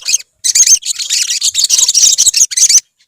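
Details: A group of olive-backed sunbirds sings in a fast, crowded burst of high, scratchy chirps and squeaky notes lasting a few seconds, then falls silent.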